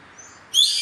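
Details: A yellow-headed caracara (Milvago chimachima) in the wild gives a single harsh, hoarse, high screech that begins abruptly after a quiet half-second and holds steady to the end.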